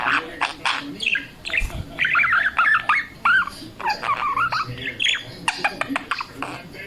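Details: A blind pet budgerigar warbles a rapid, chattering song of squeaky whistles and clicks.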